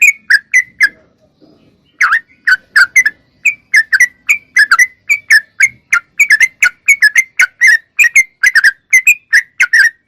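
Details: Clear gacor-style song of a trucuk, or sooty-headed bulbul, used to spur young and flock birds to sing: a few notes, a two-second gap, then a long rapid flow of bubbly whistles.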